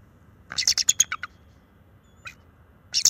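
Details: Young male bald eagle at a nest camera on March 7, 2024, calling to warn off an owl near the nest: a rapid run of high, thin chittering notes that fall in pitch, then two short bursts follow after a pause.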